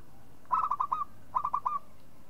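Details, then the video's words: Local zebra dove call made of two short bursts of quick, rolling coos, each of four or five clipped notes with a slight downward bend, separated by a brief pause. "SUARA MEMANGG PERKUTUT LOKAL"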